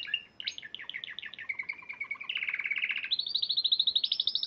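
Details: Spanish Timbrado canary that won a March 2014 contest, delivering quick chopped notes, a steady mid-pitched rattle, then a fast rising series of pulsed high trills.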